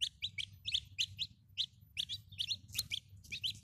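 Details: Chicken chicks give a dense run of bright, high peeps, each a quick falling note, coming in rapid, uneven bursts with hardly a pause, over faint low background hum.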